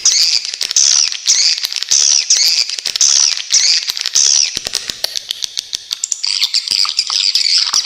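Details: Swiftlet in a very clear recording with sharp trills: shrill buzzy chirp phrases repeated about once per second, then scattered clicks and a dense high twitter to the end.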